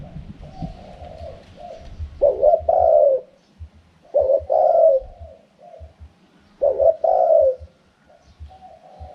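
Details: Spotted dove repeating its wild-style 'karam pa' coo about every two seconds: soft lead-in notes, then a loud, falling, drawn-out hoot, with faint low taps.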